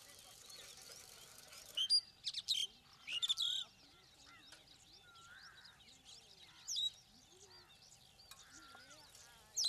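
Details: Starling calling outdoors: sharp high whistled notes and short upslurred chirps in bursts around two, three to four, seven and ten seconds, with softer scattered whistles from other birds between.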